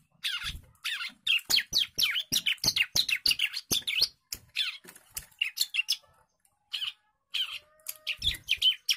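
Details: Agitated young bar-winged prinia in song, giving dense series of sharp, scratchy chirps roughly twice a second, broken by short pauses, with occasional low thuds.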